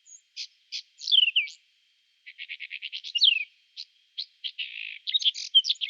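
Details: Whinchat singing in spring, April 2020, recorded with a Nikon Coolpix P1000: scratchy phrases mixing short clicks, a descending whistle and a run of rapid dry ticking notes, ending in a dense burst of buzzy, jumbled warbling.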